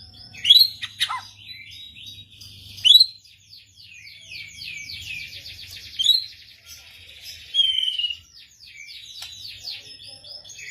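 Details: White-rumped shama answering other birds; quiet, high, rapid trills and buzzy runs, with a few louder sharp whistled notes standing out.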